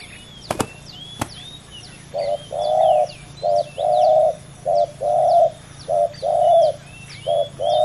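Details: Spotted dove, two males competing against each other: low hollow coos in a steady pattern of a short note followed by a longer drawn-out one, repeated about once per second, with faint high chirps of small birds behind.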